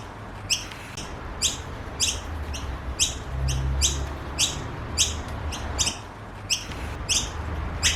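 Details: Noisy miner babies begging for food in an Australian garden, giving loud scratchy chips at uneven intervals of about one per second, over a low rumbling background.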